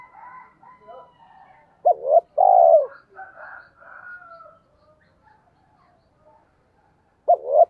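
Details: Spotted dove call in the 'giọng thổ' style used to provoke trained doves: one full low double-noted coo phrase mid-clip and the start of another near the end, over soft scattered chirping from other birds.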